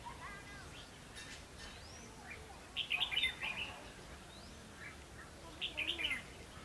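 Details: Red-whiskered bulbul during trapping with a decoy bird on 22 October 2016: two short, chattering whistled phrases about three seconds apart, clear and sweet, with faint other bird notes and steady low hum behind.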